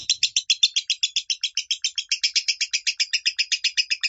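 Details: Lovebird singing in the minor tone, played to train a pet bird: quick, regular string of raspy, high chirps, close to four per second, sustained across the whole stretch.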